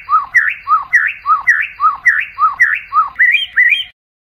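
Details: White-rumped shama at night, a recording for training competition songbirds: paired whistles, a low note followed by a rising slurred one, repeated steadily about seven times before ending abruptly.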